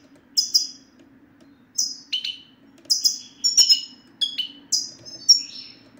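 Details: European goldfinch male 'sitsta' calls, played to make quiet males sing: bright, high, downslurred tweets and liquid twitters in quick groups of two to four notes, spaced by brief gaps, over a soft steady low hum.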